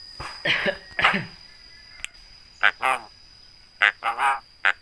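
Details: Javan myna mimicking human speech and coughing, a trained bird with a very loud voice: two rough, cough-like blasts, then paired hoarse syllables with throaty harmonic tones, repeated in short groups separated by silence.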